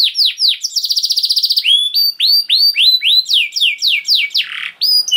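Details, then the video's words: Canary in long 'gacor' song, played as a lure to prompt other canaries to sing. High, fast repeated downslurred notes, then a dense buzzy trill, then more rapid swooping whistles, about four notes a second. "Seketika Kenari Kondisi Apapun Akan Langsung Respon Bunyi Gacor Panjang Tanpa Nunggu Lama"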